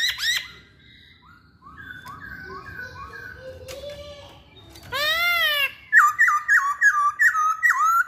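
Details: Masked laughingthrush singing energetically: scattered soft whistled phrases and a drawn-out rising note over low background noise, a loud harsh squawk, then a rapid, loud string of repeated ringing whistles.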